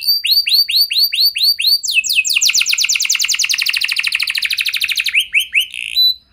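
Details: Canary song to draw out singing from other canaries: a run of arched whistled notes, then a long rapid trill sliding slowly lower, ending with a few short slurs.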